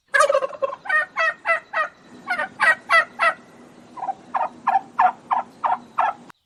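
A turkey gobbles in a rapid, rattling run of throaty notes, about three per second, in two bursts of roughly a dozen syllables each.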